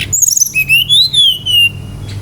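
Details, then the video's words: Brown-chested jungle flycatcher singing loudly, a lure to get other birds calling: high twittering notes flow into long, clear, drawn-out whistles that rise slightly then slowly fall, close and dominant. "PANCINGAN GACOR SRDC agar cepat ngeplong"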